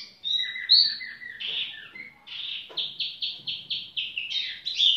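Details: A tiểu mi bird sings loosely, with high whistles sliding down, then a rhythmic series of about ten short bright notes repeated several times per second.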